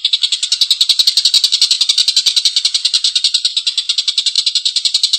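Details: Collared kingfisher giving a long, rough laugh meant as training audio for cage birds: raspy notes repeated rapidly and evenly, about three and a half per second.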